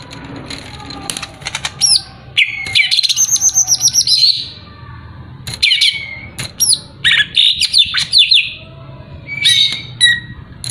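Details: Rival-provoking song of a greater green leafbird, mixing a rapid run of repeated high notes, buzzy chatter and downslurred whistles in lively, varied phrases.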